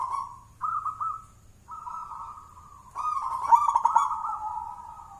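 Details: Hand-raised local zebra dove from Mojopahit, Java, contest champion, gacoran style: short cooing notes, then a longer level coo, and a loud rolling bubbly phrase that slowly falls in pitch.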